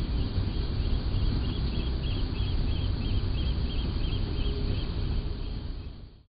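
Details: Eurasian oystercatchers on a flat roof in an industrial area, where they can breed, give a quick run of shrill, piping kleep notes, two or three a second, half buried under a heavy low rumble of wind or traffic.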